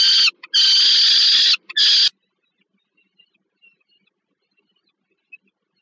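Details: During a food delivery to a young bird at a Warsaw nest in Poland, 15 August 2022, a peregrine falcon gives two harsh, strident screeches. Near silence follows, with faint distant chirps.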